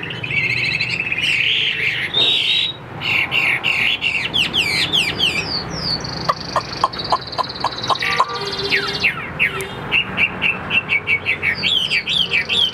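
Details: Song of a caged Chinese hwamei, a mostly tame bird not yet in full condition: varied loud whistles with swooping slurs, then fast rhythmic repeated notes, ending in rolling repeated whistled phrases above steady background hum.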